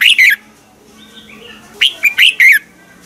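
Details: A morning training-song recording of a red-whiskered bulbul, used as a decoy voice for teaching other birds. It has the tail of one bright phrase, a soft pause, then four sharp, clear, warbled notes.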